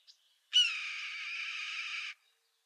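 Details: A Red-tailed Hawk gives a single hoarse, rasping scream, the classic sound often passed off as a bald eagle's, lasting about one and a half seconds. It starts loud and trails off slightly, with a faint click before it.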